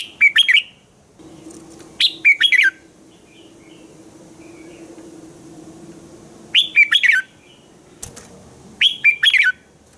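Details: Red-whiskered bulbul singing in the morning, used as a training voice for other bulbuls: short loud bursts of clear, warbled whistled notes, each phrase about half a second, repeated every two seconds or so, with faint softer notes between.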